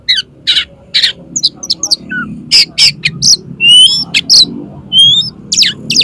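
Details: Oriental magpie-robin song for training and lure use with competition birds: loud rasping bursts mixed with bright, sweeping whistles, delivered in a varied, energetic sequence over a low murmur.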